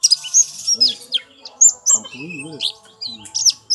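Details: White-eye pouring out a fast jumble of high, sharp chirps and twitters. It opens with a dense buzzy burst, and a low wavering voice-like sound is briefly heard behind it.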